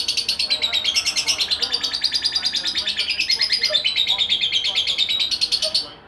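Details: Aggressive lovebird, a youngster aged 2.5 months, chattering nonstop in quick, high, harsh notes about three per second. The pitch wavers slightly up and down throughout, with no other clear sounds.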